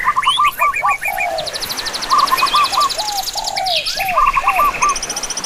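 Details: Busy bird chorus with chirps, short slurred whistles, rapid buzzy rattles and repeated sharp tweets overlapping from several birds, continuing without a break.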